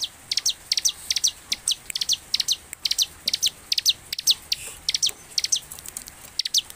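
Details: Bar-winged prinia sings in quick bursts of high, sharp chipping notes, often in pairs, repeated several times a second against a faint background hiss; a lively singer used as a lure to get other prinias singing.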